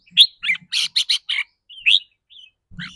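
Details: Red-whiskered bulbul in rik rua, a rapid trilled song whose style shifts with the bird's mood: a fast run of six loud, clipped chirps, then a rising whistled note, a faint slur and a final short phrase.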